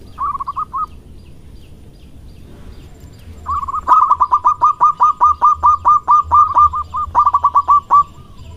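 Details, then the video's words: Courting male zebra dove with a strong voice: a short burst of clipped coos, a pause, then a long, fast run of staccato coos lasting several seconds before a final brief burst, with a constant low hum behind. "Perkutut Lokal Gacor Suara Besar Merayu Jantan"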